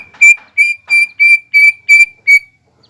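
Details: Greater green leafbird in mbeset song meant to provoke rival birds: seven loud, flat, pure whistles on one steady pitch, spaced about every third of a second.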